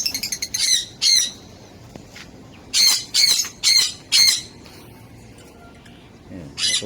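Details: African lovebirds kept in a DIY colony, giving harsh, broadband squawks in short bursts, two early then a run of four evenly spaced, another at the end, with quiet gaps between.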